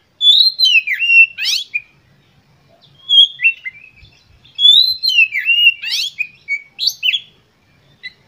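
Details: Oriental magpie-robin in energetic, emotional lure song meant to set other birds singing: two long phrases of varied whistles, slurred downward notes and harsh rasping bursts, with a pause between them and a near-silent background.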